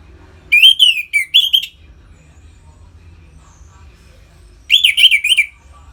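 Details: Orange-headed thrush singing vigorously in the ngeplong style, used to stimulate other birds into breeding condition: two bursts of rapid, rich warbled phrases, the first about a second long, a second phrase after a pause of several seconds, over low background hum.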